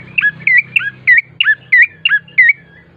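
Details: Gacor song of a bar-winged prinia used to lure birds: loud, ringing, whistle-like chirps that drop in pitch, repeated rhythmically about three times a second over a faint low drone.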